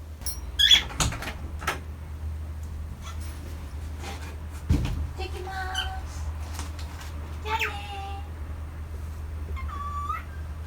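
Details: A pet male cockatiel calls as its owner goes out. Short harmonic squawks come near the start, then a longer wavering call and a rising call near the end. Thumps, rustling and a steady low hum run throughout.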